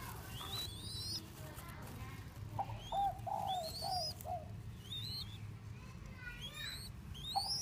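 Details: Young Thai spotted dove kept for sale: a run of soft, low, bubbling coos in the middle of the recording, with bright rising whistled notes from other birds above and a constant low noisy hum.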